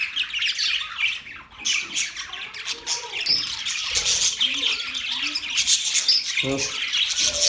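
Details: Budgies in a group keep up a steady high-pitched chatter, recorded October 11, 2023; overlapping chirps, warbled twitters and scratchy squawks run without a break, with a few lower muffled sounds near the end.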